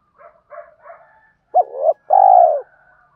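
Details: Spotted doves, male and female, cooing to stimulate birds in training. Three soft, short double notes are followed by a loud, abrupt coo and a long, smooth, slightly falling coo.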